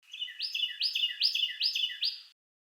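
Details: A Carolina wren at a Florida backyard feeder in January sings a loud, ringing string of five quick repeated phrases, each a rich, sweeping high note, delivered in just over two seconds, with no other sounds.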